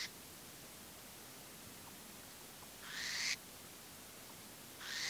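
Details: Western burrowing owl with an injured wing, just out of its burrow with lookout owls nearby, gives harsh, hissing rasps, each about half a second long, roughly every two seconds against a quiet background.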